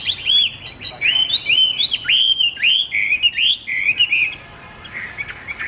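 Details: Clear, loud whistled phrases from a caged Chinese hwamei with a fig-leaf tail: a series of sliding, upturned notes repeated about twice per second, ending abruptly before a quiet final second.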